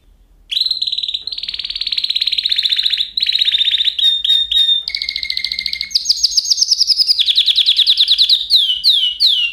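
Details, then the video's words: Continuous canary song moving through varied tours: steady high trills, quick chopped notes, rapid rolls and a closing series of descending swept whistles. "Kanarya sesi | Kanarya ötüşü | Canary Sound"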